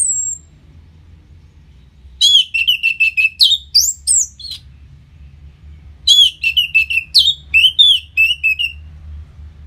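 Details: Orange-headed thrush song meant to make a bird more aggressive after its moult: two long, rapid runs of loud, varied whistled notes sweeping up and down, divided by a short gap, against faint low hum.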